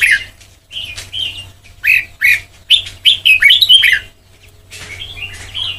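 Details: White-cheeked red-whiskered bulbul performing Sông Kon style song for training. Short chirps build into a dense warbling run of rising and falling whistles, then fade to softer notes near the end.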